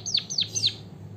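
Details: White-headed munia giving three sharp, high, downward-sliding chirps spaced about a quarter second apart, recorded as a lure to get other birds singing, over a faint low hum.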